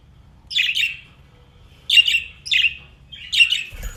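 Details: A playful pet budgerigar gives bursts of scratchy, warbling chirps in short clusters.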